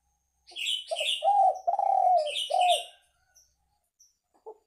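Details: Spotted dove cooing, played to lure birds: a broken phrase of soft low coos with a long falling note. Sharp high chirps from another bird overlap the first half, and a few faint clicks follow.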